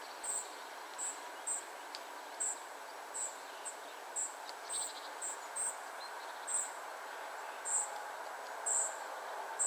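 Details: Spotted flycatchers, a family group, give sharp high-pitched tsee notes repeatedly at irregular spacing, roughly one per second, with a few faint lower chirps against steady outdoor hiss.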